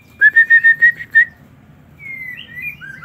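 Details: Aviary-kept white-rumped shama gives six loud, evenly spaced whistled notes in quick succession at a steady pitch, then thin, drawn-out whistles that rise and glide upward.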